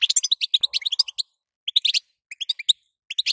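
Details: European goldfinch hen calling to set a male singing: a rapid string of high, liquid chirps, a gap of about half a second, then shorter clustered bursts.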